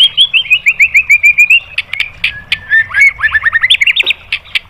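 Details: Shama training song aimed at provoking other birds to sing: a quick run of repeated slurred whistles, a few sharp clicks, then rising whistled notes delivered in a rapid, uneven series.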